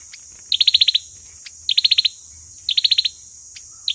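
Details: Fighting song of an olive-backed sunbird, used as a trapping lure: three quick trilled bursts of six or seven sharp high notes about a second apart, with a few single clicks between them.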